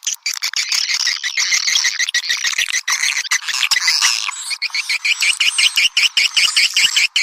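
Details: Lure recording of swiftlet calls meant to draw swiftlets in: many birds give a steady, thick chatter of sharp, high chirps and squawky twitters, pulsing in quick uneven bursts throughout, with nothing else clearly heard.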